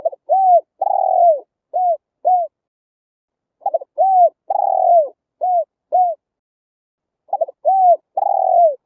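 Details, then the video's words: Spotted dove song of the kind played to draw wild doves into a trap; three phrases of low, husky coos, each a short stutter, a long descending note and two brief coos, separated by pauses, in clean silence. "Tiếng chim cu gáy hay, đủ bài, bẫy loa hiệu quả"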